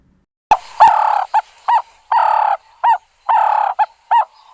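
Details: Ring-necked Dove (Streptopelia capicola) of southern Africa giving a mid-pitched, rough coo, a long rasping note then a short clipped note, repeated about every one and a half seconds.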